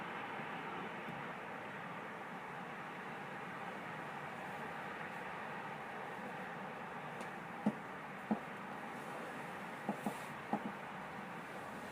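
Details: Steady broadband rumble like passing traffic or a train, with a few sharp knocks near the end; no animal calls are heard.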